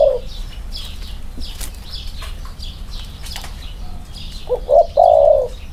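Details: Spotted dove, one of two birds set next to each other for comparison. After a quiet stretch of high chirping from small birds, it delivers a phrase of two quick short notes and then a longer, level, mellow coo.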